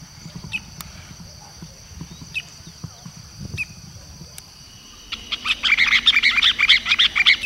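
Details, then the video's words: Masked water tyrant (Fluvicola nengeta) singing a lot: a fast, scratchy chatter of sharp high notes after a few quiet seconds of faint chips, over a steady high insect-like hum. "lavadeira mascarada ( Fluvicola nengeta ) cantando muito."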